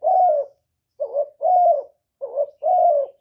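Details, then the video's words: Spotted dove cooing, used as a decoy call to lure wild doves; low, hoarse two-part coos, a short note followed by a longer drawn-out one, repeated about every second and a quarter, with nothing else heard. "CU GÁY MỒI ĐẤT, CU ĐẤT GÁY, CU CƯỜM GÙ KÍCH BỔI, TIẾNG CHIM CU MỒI"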